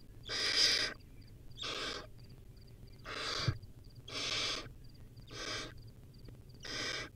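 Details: Wild young barn owl eating a rodent utters six rough, wheezy hissing screeches, each about half a second, spaced roughly a second apart, with soft ticking pips between.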